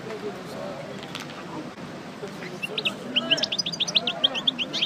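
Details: Caged parva goldfinch singing after its moult. Murmuring noise fills the first half, then a fast, dense sequence of sharp high chirps builds toward the end.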